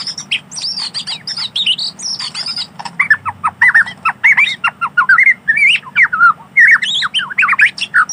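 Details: In wild forest, a white-rumped shama sings a rich medley: opening run of high scratchy squeaks, then a fast series of clear, varied whistled notes rising and falling, almost continuous throughout.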